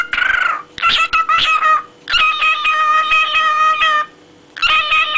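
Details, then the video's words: A pet cockatiel talking and singing, giving loud, sustained whistled notes rich in overtones, held steady in several bursts separated by short pauses, with a short higher wavering note at the start. "Корелла говорит и поет"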